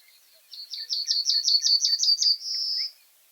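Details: Common reed bunting giving a full song phrase: around ten rapid, clipped high notes in a regular series, ending in a sustained buzzy trill of about half a second. The background is quiet.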